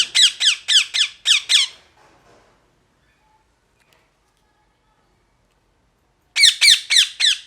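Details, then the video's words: Harsh parrot squawks: a fast string of six piercing, raspy calls, faint soft sounds and a long quiet stretch, then another rapid burst of five screeches. "Parrot Chirping Sounds | Natural Parrot Sounds | Parrot Calling Sounds"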